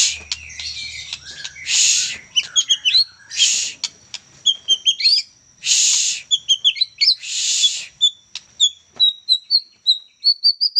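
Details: A juvenile White-rumped shama in full, busy song: varied sweet whistled notes and rapid twittering phrases, interrupted by several loud harsh rasping bursts, ending in a series of short rising whistles repeated about twice a second.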